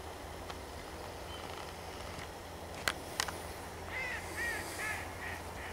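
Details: Eurasian wigeon wintering at a sand-extraction pit, November 2013, filmed through a telescope: several arching whistles come in quick succession near the end over a steady low rumble, with two sharp clicks just before.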